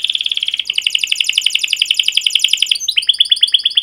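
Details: Canary in full, vigorous song with long 'cuit cuit' rolls, used as a lure and master for young canaries learning to sing: a steady buzzing trill of rapid high notes, then a quicker rattling roll, then a slower run of sharp chips.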